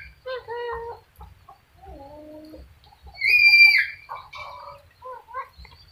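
A sulphur-crested cockatoo talks in short, throaty, voice-like phrases, then breaks into a loud, harsh, ringing screech.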